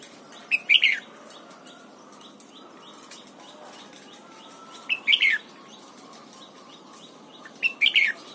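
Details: A red-whiskered bulbul, being trained to sing, gives short bright warbled phrases about every four seconds, over a steady hiss with faint chirps from other birds.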